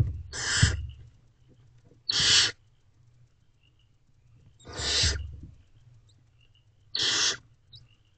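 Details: Barn owls in a nest box at night, April 2023, while the female feeds herself and her owlets: four loud, raspy, breathy hissing screeches, each about half a second long, spaced roughly one and a half to three seconds apart, over low rumble.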